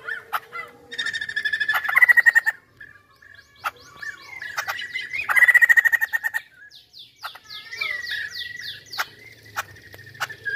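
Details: Chinese hwamei singing with vigour: sharp clicks and short whistles, two loud accelerating bursts of rapid repeated notes, then a series of fast descending chirps and scattered notes.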